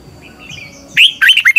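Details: Red-whiskered bulbul training song for a caged bird: after a quiet start, a loud burst of clear warbled whistled notes around the 1-second mark, followed by several quick rising and falling phrases.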